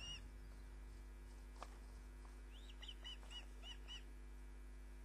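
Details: Osprey, a female at a nest camera site at Loch of the Lowes, Scotland, 20:34 on 29 June 2010, bringing in a fish she caught; a run of about six high, down-slurred chirping whistles after a brief sharp click, steady low hum beneath.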